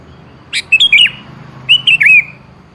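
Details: Sooty-headed bulbul song meant to draw an answer from a bird that rarely sings: two short phrases of quick, liquid, wavering whistles, each led by a harsh note, about a second apart, faint hum behind.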